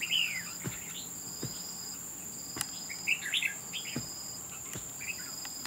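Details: Red-whiskered bulbul during trap fighting: a loud opening chirp, then clusters of bright, twittering notes spread through the clip, with occasional clicks and a constant high insect tone.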